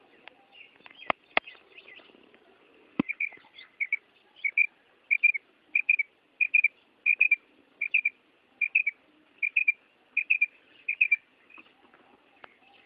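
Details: Female common quail calling: short, high, slightly buzzy double notes, evenly repeated about every two-thirds of a second for some ten seconds, preceded by a few sharp clicks and faint scattered chirps.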